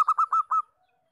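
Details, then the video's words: Local zebra dove in breeding condition giving a quick run of four loud, even coo notes with a slight upward slur, about five per second, then falling silent. "PERKUTUT LOKAL GACOR || bekur birahi"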